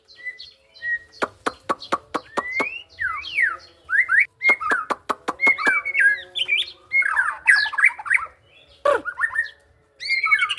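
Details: White-rumped shama from Indonesia, songbird hobby context: varied rich song opening with a run of sharp dry clicks, then slurred whistles, rising sweeps and fast warbled phrases separated by short pauses; faint low hum underneath.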